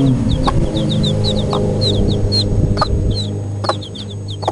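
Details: Cuckoo Marans chicks, four days old, keep up rapid high-pitched peeps, short descending notes in quick succession, against loud continuous low rumbling and hum.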